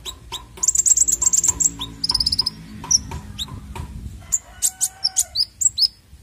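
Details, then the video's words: Konin bird sounds for luring young birds: a fast burst of high chirps and a short rattle, then evenly spaced, bright, slightly rising notes about every quarter second, with low rumbling background. "PANCINGAN KONIN BAHAN"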